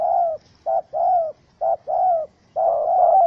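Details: Angry wild spotted dove held in a small rope trap, 04/07/2017, giving deep, mellow coos: brief clipped notes alternating with drawn-out, gently falling ones, ending in a longer run of wavering cooing.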